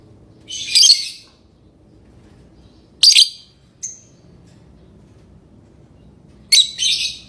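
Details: Pet lovebirds singing and chirping: three short bursts of harsh, very high, buzzy chatter, each under a second, separated by quiet pauses, with one brief thin squeak between.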